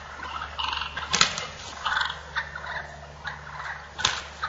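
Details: Wild turkey toms in a fight: short bursts of rough calling broken by sharp clattering knocks, the calls coming in uneven clusters over a low background hum.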